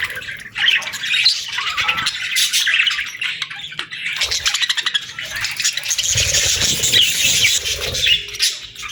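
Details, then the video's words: Several parakeets chirping in the morning, a steady stream of high, warbling twitters and rasping notes that thickens in the second half, with faint low rumbling underneath. "Parakeets Chirping Sounds"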